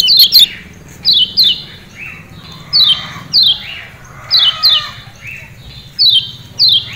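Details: 'Ciak ciak' calls of the Lombok lemon-bellied white-eye, or kecial kuning, used to encourage caged birds to sing: high falling chirps mostly in pairs, about eighteen groups a minute, with quiet gaps between.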